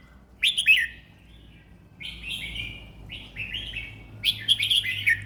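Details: Contest-bred red-whiskered bulbul, a four-round bird, in unhurried song: four clear warbled phrases, each a rapid tumble of rising and falling whistles about a second apart, over a quiet background hum.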